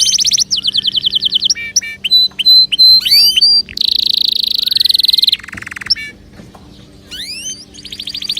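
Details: Canary singing as encouragement for other birds to sing: fast repeated-note trills, rising whistles, a long buzzing trill, then quieter rising sweeps at the end.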